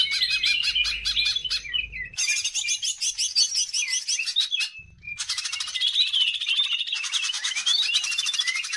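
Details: Energetic greater green leafbird song meant as a lure to train other birds: long continuous bouts of fast, dense chatter mixed with warbled whistles, one short pause near five seconds, then the stream resumes.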